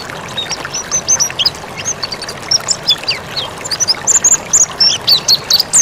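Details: Mountain white-eye in full, lively song, used as a tutor recording for training cage birds: rapid, irregular twittering of thin, high chirps and short whistles, some rising, some falling, almost nonstop, over faint low background hiss.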